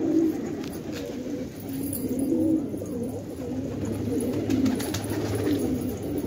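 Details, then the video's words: In an Afghan village at Khan Abad, a group of fighting pigeons utters soft, wavering low coos, some rising and dipping, repeated every couple of seconds against a quiet murmur. "کفتر های جنگی پرشی در خانه آباد"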